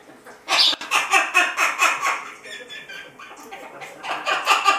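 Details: Pet Amazon parrot in a good mood, hopping and kicking up its feet in a dance while calling: rapid harsh, laugh-like chattering bursts about twice a second, easing into softer varied squawks.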